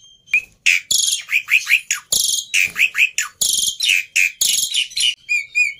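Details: Black-winged myna kept as a fighter, over-excited, mixing rasping harsh squawks with short whistled slurs in a fast, uneven stream, ending in light chirps; meant for training silent starlings.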